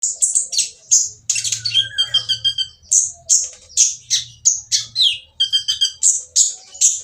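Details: Oriental magpie-robin with a rough, noisy voice, used to provoke other magpie-robins into singing: harsh, scratchy high notes and squawky bursts repeated rapidly, with a few buzzy, stacked rattling phrases in the middle.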